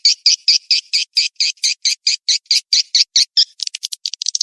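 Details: Swiftlet mating-chase calling lure: regular, clipped high-pitched chirps repeated at an even pace, breaking into quicker, uneven flickering notes in the final second.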